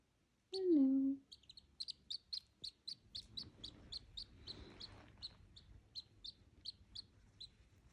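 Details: Duckling kept together with dachshunds, giving short high peeps repeated steadily about every third of a second; opens with a loud, low, falling whine from another animal, with faint rustling underneath.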